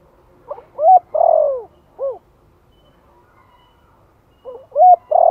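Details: Spotted dove in Vietnam giving a gentle 'Thổ'-style lure call used to stir a decoy bird. Soft, hollow cooing phrases: a short lead-in note, a doubled coo, then a long drawn-out coo, repeating after a pause.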